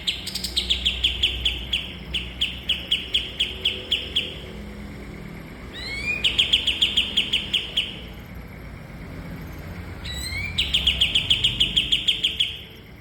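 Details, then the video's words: Master song of a kapas tembak (cream-vented bulbul) used to train cage birds: three bursts, each a brief upslurred whistle followed by a rattling series of bright staccato chips, separated by short pauses. "Burung Masteran Kapas Tembak"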